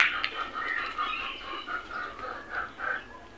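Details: Crows searching for food, a steady run of harsh overlapping caws at moderate loudness over a busy background of other calls.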